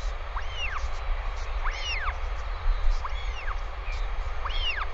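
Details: Northern royal albatross on a New Zealand live nest cam, 20 May 2020: the adult OGK returns and stays overnight with the chick, giving four arched, rising-then-falling nasal calls about one a second over a steady low roar of wind.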